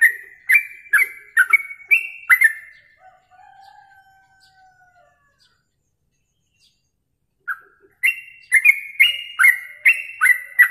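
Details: Training recording of a yellow-vented bulbul for songbird contests. A burst of bubbly chirped notes is followed by a faint drawn-out tone and several seconds of silence, then the rapid chirping series resumes.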